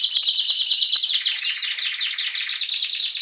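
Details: Spanish Timbrado canary in Anavissos, Greece, February 2016, singing as spring approaches: a steady high rolling trill that breaks into rapid repeated downward-slurred notes, several per second, without pause.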